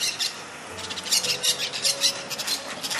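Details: Wild flock of about 15 to 20 yellow-chevroned parakeets squawking from a palm tree in West Hollywood where they hang out; dense overlapping harsh high squawks and chatter throughout, faint low hum beneath.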